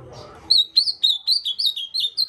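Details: After a brief low rustle, an ultramarine grosbeak pours out a fast series of roughly nine clear, down-slurred whistles at an even pace.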